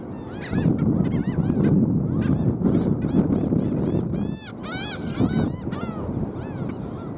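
Black skimmers giving a steady, overlapping chorus of nasal, barking yelps, several each second, over a low rumble of wind or surf.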